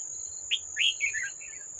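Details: A wild red-whiskered bulbul fights a decoy at a trap on 18 July 2024. It gives a sharp opening note, then a rich, rolling whistle that slides downward, against a constant high insect whine.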